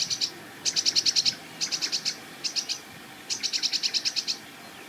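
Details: Sedge Warbler singing at a marsh edge with reedbed: grating, rapid trill-like bursts of repeated chattering notes, each phrase about half a second to a second long, separated by short gaps.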